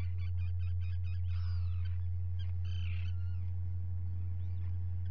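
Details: Common guillemot colony on 27 June 2020, the day two chicks hatched, picked up by a live nest camera; a quick run of clipped pulsed notes, then a curving whistled note and a rough burst near three seconds, with constant low hum.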